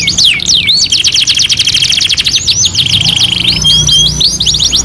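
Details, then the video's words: Canary song for masteran tutoring, two in one: falling whistled swoops, then a dense buzzy roll, a held steady note, and quick rising sweeps at the end. "MASTERAN KENARI 2 IN 1 | CANARY SINGING"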